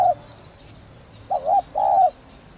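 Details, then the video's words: Spotted dove cooing in the thổ đồng calling style meant to lure wild birds: the tail of one coo, then a short wavering note followed by a longer, smooth, falling hoot. "Cu gáy THỔ ĐỒNG GÁY GỌI"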